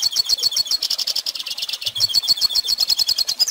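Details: A goldfinch sings for young birds to learn from, pouring out quick, tinkling chirps, close to four notes a second, in a lively twittering stream with faint soft knocks underneath.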